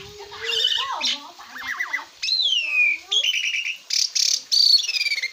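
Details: Asian pied starling song as a tutor recording for cage birds, mixing upward-sweeping whistles, wavering warbles, a long descending slur and short harsh bursts, delivered in separate rapid phrases.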